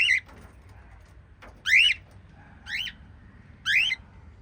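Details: Lovebirds in a family group of five, chirping: sharp harmonic chirps sweeping upward to around high pitch, given singly about once a second with quiet gaps, over faint low background hum.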